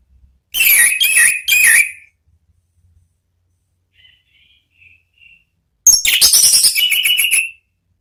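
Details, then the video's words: Orange-headed thrush giving two loud ngeplong bursts of whistles and chirps, with faint soft notes in the pause between them. The second burst ends in a sustained whistle. "MEMANCING ANIS MERAH BUNYI NGEPLONG"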